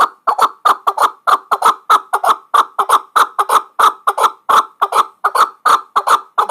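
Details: Chukar partridge from Muminobod, praised as a top bird for hunting, calling loudly in harsh, rhythmic chuk notes. The notes are repeated about three per second in an even, driving series, with no other sounds.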